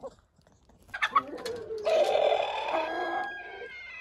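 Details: Rooster crowing among hens eating broken eggs: a few sharp notes lead into a long sustained, strained crow held nearly two seconds before fading.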